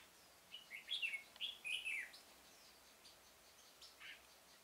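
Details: Trapping decoy red-whiskered bulbul in a pomelo garden, October 2017. It sings one rich, tumbling phrase of rising and falling whistled notes lasting under two seconds, followed by faint chirps.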